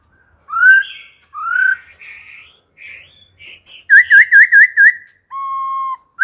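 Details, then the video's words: Adult wild-caught laughingthrush singing wild-style song, switching phrases continuously to stimulate other birds and train young ones: rising clear whistles, soft warbled notes, a run of five wavy whistles, then a long flat steady whistle. "Khướu già rừng hót giọng rừng, đảo giọng liên tục kích bổi hót, tập chim non"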